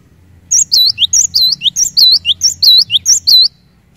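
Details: Cinereous tit belting out repetitive song that reportedly makes other cinereous tits sing quickly: three seconds of rapid, sharp whistled couplets, a high looped note then a lower downslur, repeated evenly, with a faint low hum beneath.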